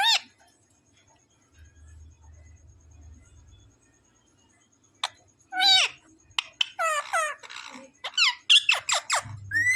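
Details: Parrot chatters after a long quiet stretch: a sharp note, then quick runs of short, steeply falling harmonic notes, increasingly crowded toward the end, with faint low background hum.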